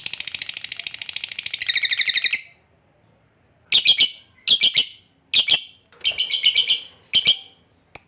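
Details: Lovebird giving a long trill to draw other lovebirds into singing: a continuous fast buzzy rattle, a pause, then separate harsh bursts and a short pulsed run.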